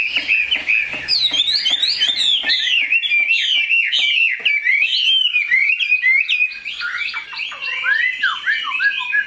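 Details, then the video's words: Loud, rich song of a tame caged Chinese hwamei: rapid varied whistled phrases, sweeping up and down with sharp high flourishes, then clear downslurred notes in the second half. "Mi họa thuần, bộ to, chất giọng cực hay"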